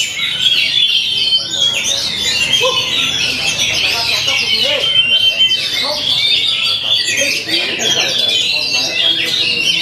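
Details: An Oriental magpie-robin's song pours out as a nonstop jumble of shrill twitters, trills and sharp whistled notes at a high pitch, with faint voices in the background.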